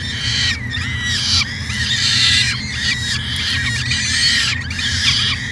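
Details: Harsh, whining harmonic calls of a peregrine falcon on an Edmonton, Canada nest cam in 2017, repeated in bursts of about a second, separated by brief gaps, above a low steady hum.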